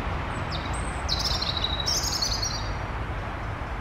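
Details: Morning recording on 15 June 2023 in woodland: a European robin gives high, thin whistled notes and short trilling phrases over about two seconds, above a steady low rumble of distant traffic.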